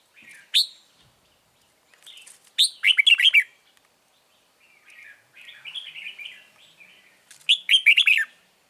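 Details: Red-whiskered bulbul at a bird trap with a caged lure, 9 March 2020: repeated loud, bright chattering phrases every few seconds, with softer warbled notes in between.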